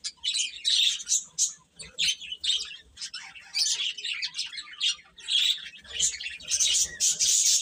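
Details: A group of baby chickens chirping, bright piercing peeps in quick irregular bursts, many voices overlapping throughout.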